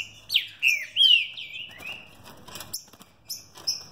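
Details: A captive-bred green-winged saltator sings a quick run of four rich, slurred whistles in about two seconds, mostly falling in pitch, then a few higher, thinner notes.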